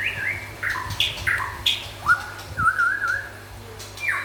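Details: Local and forest white-rumped shama in lively song: bright whistled phrases, each a sharp upward or downward slur, repeated about every half second, then a rolling warbled whistle, over a faint steady hum.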